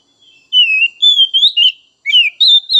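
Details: Singing Oriental magpie-robin, a kacer of the untrained and spotted young type, recorded to stimulate other birds. Smooth whistled phrases that dip and rise, in five or six notes separated by brief pauses. The background is clean.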